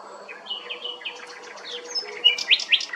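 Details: Common nightingale singing at Strázsahegy, Monori Pincefalu, Hungary: a varied string of soft warbled and whistled phrases building to loud sharp chirped notes near the end, in a quiet setting.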